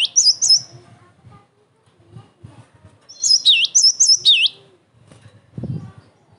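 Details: Singing cinereous tit used as a provoking and training recording: short high note pairs at the start, a quiet gap with soft low knocks, then a phrase of sharp repeated chips and downward-swooping notes, followed by a low thud.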